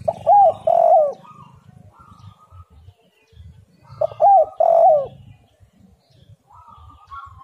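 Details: Spotted dove, 'angin Topan' style song for luring other doves: twice, a sharp rising note followed by full throaty coos, the phrases about four seconds apart, with low rustling and thin whistled notes of other birds between.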